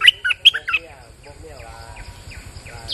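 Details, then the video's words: On a rainy day, a bulbul sings a lure song: a quick, bright, warbled phrase of four notes. Faint repeated chirps and a low throbbing hum fill the rest of the clip. "Suara pikat merbah lekir gacor"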